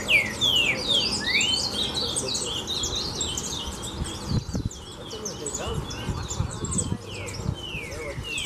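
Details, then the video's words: Green-winged saltators, several males stirred up by a loose female at Chácara Real, give loud slurred whistles that fall in pitch, three bold phrases in the first second and a half, over a dense chorus of high chirping from other birds and low rumbling noise. "Os Trincas Ferros Ficaram Loucos Com a Fêmea Solta!!!"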